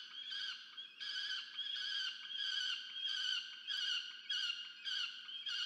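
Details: At a university research nest in Orange, New South Wales, Australia, a young peregrine falcon demands food from its parent, 13 November 2022; rasping, wailing cries repeated roughly every half second to second, steady and persistent.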